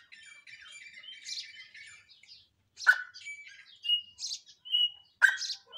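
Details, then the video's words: Grey francolin giving squeaky chirps and thin high whistles, broken by two loud, harsh, cracking notes about two seconds apart. "Gray francolin had BEAUTIFUL voice"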